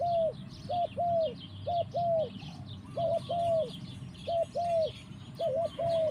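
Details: Spotted dove (tekukur) singing in the forest: a steady series of soft, bent cooing notes, single and paired, about one each second, over a busy chorus of high chirping birds.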